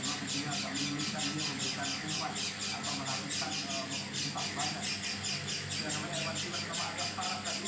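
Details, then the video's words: Oriental white-eye giving an unusual call, not like its usual voice: harsh, rasping notes repeated steadily about twice a second throughout, over a constant low electrical hum. "Burung pleci bersuara aneh"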